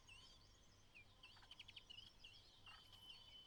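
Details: A White-browed laughingthrush mother, outside the nest, gives soft, high chirps and short clicking notes, scattered irregularly over a few seconds, calling her only chick out on its fledging day, against a low outdoor hum.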